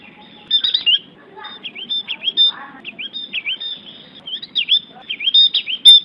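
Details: Opior Jawa, the Javan grey-throated white-eye, gives a lively, high twittering song of swooping whistled notes strung in rapid phrases, with a few harsher chatter notes between them.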